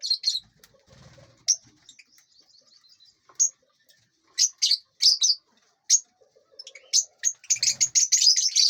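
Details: Lovebirds in an aviary while eating and flying. Isolated high chirps are spaced out at first, then grow into a quick, crowded burst of squeaky calls at the close.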